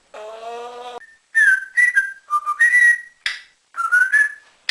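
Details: Rescued male African grey parrot at home, a mimic of cats, dogs, ducks and human phrases, opens with a nasal harmonic tone like a meow, then strings together varied whistled notes, some upslurred, with brief gaps.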